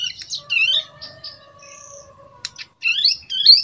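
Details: Young prinia in captivity, just over two months old, learning a tutored song: scratchy high twitters and rising slurs, mixed with a few long, steady thin whistles.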